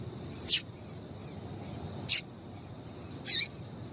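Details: Female yellow-bellied seedeater giving brief high chirps to encourage males to sing, three sharp notes roughly one and a half seconds apart over a quiet hissing background.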